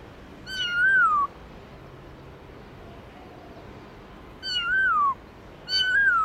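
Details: Wild-style song (giọng rừng) of a black-throated laughingthrush: three rich, ringing whistles, each dropping steadily in pitch, the first and second far apart, the third quickly following and ending with a lilting upturn.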